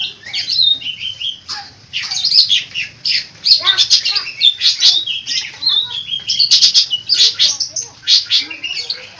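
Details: Long-tailed shrike, a cendet, singing a lively song full of varied mimicked phrases: dense harsh squawks, chattering notes and brief whistles in rapid succession, with a faint low hum underneath.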